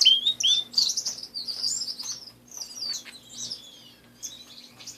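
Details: Pet canaries singing indoors: bright whistled notes and quick upward-sliding chirps, then looser twittering phrases that fade and return, all high-pitched, with a faint steady low hum behind.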